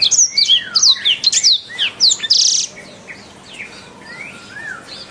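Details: Canary training song: a string of loud, sharp rising and falling whistled notes with a harsh buzzy burst, then softer scattered whistles over faint background noise.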